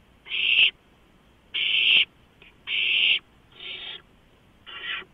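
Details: Several owlets clamoring over a delivered large rodent at night, March 2015, live nest cam: five harsh hissing bursts, the last two softer, roughly one per second.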